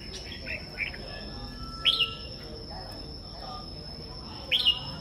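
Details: Morning song of a kept red-whiskered bulbul: two loud, clear whistled flourishes about two and a half seconds apart, with soft short notes between and a constant thin high tone behind.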